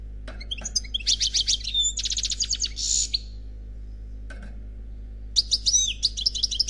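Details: Khalwi-style song of a European goldfinch, one bird: bursts of fast high twitters and buzzy notes, a pause of about two seconds, then the tinkling twitter resumes, steady low hum in the background.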